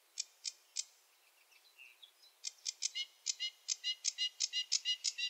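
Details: Sedge warbler song, somewhat distant: a few sharp notes, soft scattered twitters and a short whistle, then a steady series of harsh chattering notes.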